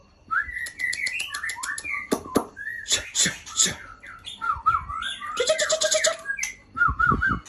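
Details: Female White-rumped shama, Aceh type, from Ujong Pancu, mixing short whistled phrases and downslurred notes with harsh bursts, clicking sounds and knocks throughout.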